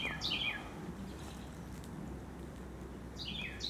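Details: A Carolina wren outside a home in Upstate New York gives loud, ringing, slurred phrases sweeping downward, one at the start and one at the end, over a steady low rumble.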